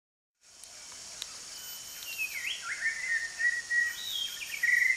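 White-rumped shama giving clear, fluty whistles that slide and shift in pitch in a varied run, over a steady high insect-like hiss.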